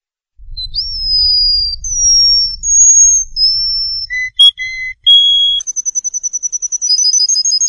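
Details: Canary song for tutoring young birds: long level whistles at changing pitches, short notes, then a rapid, even trill of high repeated notes. A faint low rumble sits under the first half.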